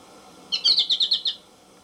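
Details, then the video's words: American goldfinch song phrase: a rapid string of about seven high, bright twittering notes, evenly spaced and lasting under a second. "AMERICAN GOLDFINCH SONG"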